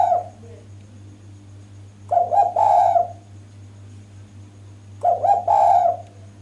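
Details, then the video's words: Strong, clear calling from a female spotted dove used to lure males. The tail of one coo is followed by two phrases about three seconds apart. Each is a quick double note rising into a drawn-out, throaty coo, with steady hum beneath. "BURUNG DERKUKU JANTAN PASTI LANGSUNG NYAUT DENGAR SUARA BETINA SUPER GACOR INI"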